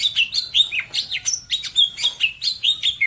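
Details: Cucak ijo, the greater green leafbird, from Majalengka in West Java, pouring out quick slurred whistles and chirps, each note swooping up or down, repeated in a steady rhythm several times a second without pause.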